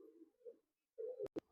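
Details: A breeding pair of tumbler pigeons in Karnataka, India: a low, steady humming coo, a brief pause, then another coo cut by two sharp clicks.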